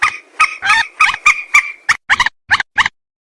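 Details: A white-breasted waterhen, calling as a trapping lure, delivers a fast string of rough, nasal croaks, roughly three or four per second, that grow shorter and choppier toward the end.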